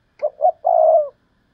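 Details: Decoy spotted dove in thúc lợi cốt calling: two brief rounded notes leading into a long, steady, gently dropping coo, with silence after it.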